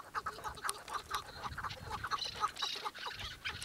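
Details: Chukar partridge calling in short, clipped chuck notes repeated about twice a second, with fainter overlapping notes and some background hiss toward the end.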